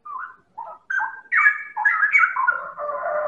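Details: White-rumped shama, Medan type, used as a lure to provoke other birds into song: short separate whistled notes at first, then rapid, varied rich phrases that run together into a continuous harmonic warble.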